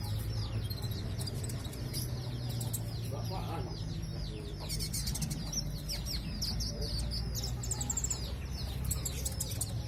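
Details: Brown-breasted sunbird kept as a songbird, singing actively with a varied repertoire: rapid high twittering sweeps and chips run together, accompanied by loud low humming noise and occasional bursts of clicking.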